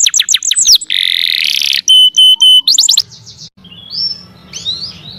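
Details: Canary song for training other birds: a few quick downslurred notes, a buzzy harsh section and a clear steady whistle in short bursts, then fainter, softer warbling over low background hum.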